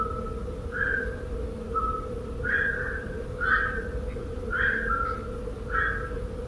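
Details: Black-crowned Night Heron flying over a Barcelona balcony at about 2 a.m. during nocturnal migration. Short, harsh, mid-pitched calls come roughly once a second, about six in all, over a steady low hum.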